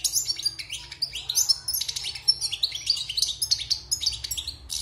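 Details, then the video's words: Caged wild European goldfinch after moult, six months captive, singing loud, rapid, sparkling twitters and chattering trills in a steady flowing stream. "Chant de Chardonneret sauvage (Repassage)|غناء حسون خلوي خارج من تغير الريش"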